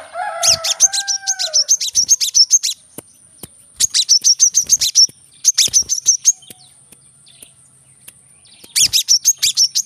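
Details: Brown-throated sunbird in the dense korlap gacor song style, 'tembakan rapat', meant to rouse quiet birds into song: a few lower whistled notes, then rapid clusters of very high, sharp ticking chirps in bursts separated by short pauses.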